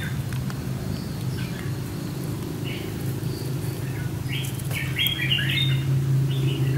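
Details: Red-whiskered Bulbul calling at a trap where a decoy lures a wild bird, on a warm sunny day. Faint chirps give way to a bright burst of rapid whistled notes near the end, over heavy low background noise.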